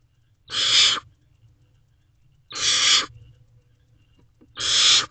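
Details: Barn owl owlets in their nest box shortly after midnight, 21 May 2023, preening each other as they wait to be fed; three rough, hissing bursts of about half a second, spaced roughly two seconds apart.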